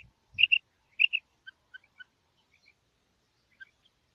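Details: Female rain quail calling: loud high-pitched paired notes, two doublets in quick succession, followed by softer scattered single chirps, with a brief low thump at the start.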